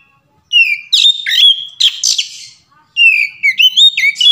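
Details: Oriental magpie-robin singing a varied 'ngeplong' song used as a lure to prompt other magpie-robins to sing: loud, clear whistled notes, some sliding and others held steady, broken by harsher bursts in two busy phrases separated by a short pause.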